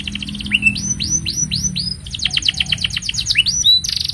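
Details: Singing canary performing a long master song for young birds: a series of upward-curving whistles, a fast rattling burst of sharp notes, then more rising whistles and a buzzy ending, with low hum beneath.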